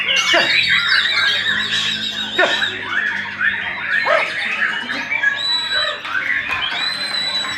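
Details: White-rumped shama singing at a junior songbird contest in Pajagalan; loud, rich, varied song of rapid whistled and chattering phrases, notes sweeping up and down without pause, with faint voices in the background.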